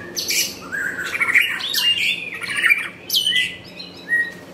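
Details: White-rumped shama singing rich, slurred whistles that wander up and down in pitch, mixed with a few harsher high notes, then one clear level whistle near the end.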